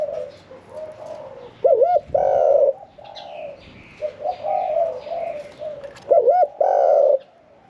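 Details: Medium-voiced caged Spotted Dove of the 'khan yon 1 kuk' singing type, caged for 1 year 4 months. Soft murmured coos build to two loud phrases, each a rolling double coo and a sustained note. Faint chirps from other birds are in the background.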